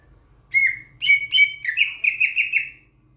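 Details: Sulawesi myna from Sulawesi, a loud-voiced starling-like bird, giving a clear whistled phrase: one short note, then a run of about eight quick, slightly descending whistles in two bursts, ringing and bright, over a quiet background.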